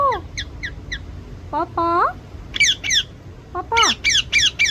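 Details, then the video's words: Pet parrot indoors, trying to say "mummy papa". Soft falling chirps lead into a wavering, harmonic speech-like call, followed by loud, repeated high squawky chirps. "Mithuu mummy papa bolneki try kar rehi he"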